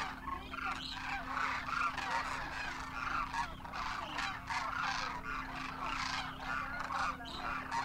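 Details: Demoiselle Crane flock wintering in Rajasthan, India, adults and first-year juveniles, calling in flight; loud, rolling, honking trumpet calls overlap densely from countless birds, with a constant faint hum underneath.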